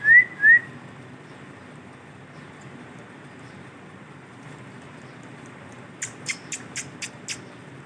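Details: A male ringneck (rose-ringed) parakeet, dancing, gives two quick, rising whistles. After a quiet pause, six sharp clicks or taps follow about a quarter-second apart in a small room.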